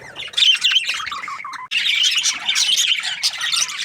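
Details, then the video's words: Happy budgerigar chirping: loud, unbroken high warbling chatter mixing scratchy squawks with looping whistled notes, with one short break partway through. "Happy budgie chirping sounds"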